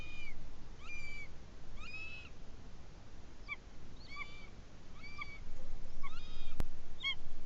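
A buzzard gives short, nasal mewing notes, slightly downslurred, repeated about every second over a steady low rumble of wind or background noise.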